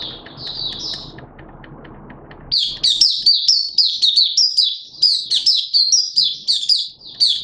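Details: Malaysian Mata Puteh (Oriental white-eye) hobby bird singing on 21 June 2023: a short high twitter, then a low rumbling background noise, then a sustained fast stream of sharp, high, chirping notes.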